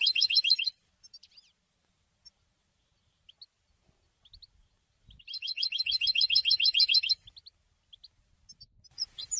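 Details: Singing European goldfinch, used as an educational recording. A short, dense twittering burst opens the recording. Scattered soft single chips follow, then a rich, fast, buzzy phrase of about two seconds and a few closing notes.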